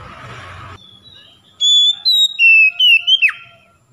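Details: Lure recording of Oriental magpie-robin song, meant to get mute or reluctant magpie-robins singing. After a short stretch of low background noise comes a quick run of pure whistles, stepping and sliding between notes and ending in a steep downward slur.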